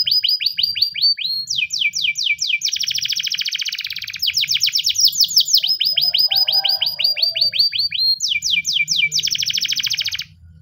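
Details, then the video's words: Spanish timbrado canary training song in the morning, long continuous sequence of fast rolling trills and repeated descending chirps, changing tempo between tours, ending abruptly. "The best canary training song in the morning! spanish timbrado canary singing"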